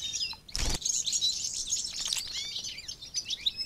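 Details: European robin song, a rich rapid jumble of high twittering notes, trills and thin whistles, with a sharp thump near the start and quiet environmental noise.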